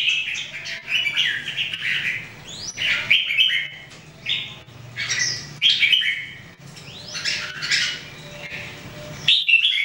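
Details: Red-whiskered Bulbuls, three birds kept in daily singing training in 2018, sing a steady run of chirpy, slurred whistled notes, some sweeping upward, over a faint low hum.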